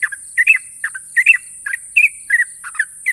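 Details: National champion Yellow-vented Bulbul in long, sharp ropel song: bubbly two-part whistled phrases dipping and rising, given about once every half second, with a steady high hiss behind.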